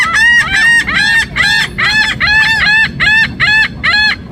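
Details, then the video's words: Laughing gulls give about ten nasal, yelping calls, roughly two each second, each slightly arched in pitch, sounding much like a puppy's yaps. "Laughing gulls making sound like puppy"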